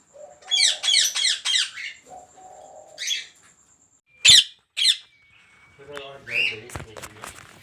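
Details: Rapid run of four rasping parakeet screeches from ringnecks kept at a large breeding farm of 400 pairs, then isolated sharp calls and mixed chatter with lower cooing from other birds in the aviaries.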